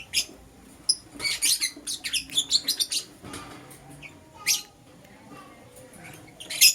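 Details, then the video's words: Morning chirping from lovebirds, a green Personata and a yellow pastel pied: quick high-pitched chirp series and squeaky notes in short clusters, separated by quieter stretches with faint background tones. "Lovebird Chirping Sounds - Green Personata & Yellow Pastel Pied"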